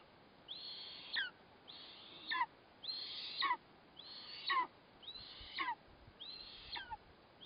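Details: Eastern imperial eagle at the nest feeding its chick on 4 August 2024, the prey a black kite; high, screechy calls that hold level and then drop sharply, repeated about once a second, six in a row, over quiet background.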